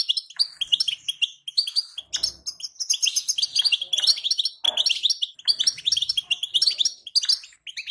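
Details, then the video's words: Female European goldfinch calls, used to stimulate a weak male into singing: dense, rapid twittering chirps in bright bursts, nearly continuous with brief gaps and a faint low thump near two seconds. "بتبتة لتهييج الحسون! أقوى بتبتات للحسون الضعيف"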